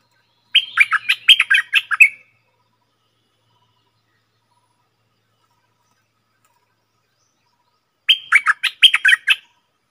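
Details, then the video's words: Stripe-throated bulbul kept as a cage bird, 7 June 2021, delivering two identical rapid, stuttering warbled phrases about seven seconds apart, with silence in between. "Suara merbah lekir gacor"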